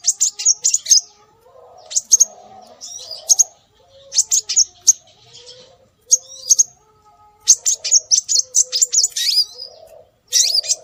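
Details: Scarlet minivet calls used to lure birds: bursts of sharp, high chirps and short trills in irregular groups with pauses, accompanied by soft lower warbling notes in the background.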